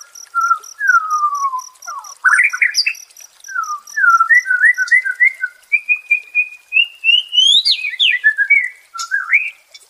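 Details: White-rumped shama song, offered as therapy for stressed birds: varied whistled phrases sliding down and up, short slurred notes, and a rising, sweeping passage with pauses between phrases.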